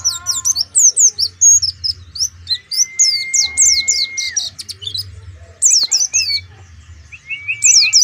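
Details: Lively, high-pitched warbling of an Oriental white-eye from Pemalang, with fast runs of slurred chirps and a long, level, thin whistle in the middle. Later come sharp descending notes and short rising slurs over a faint low hum.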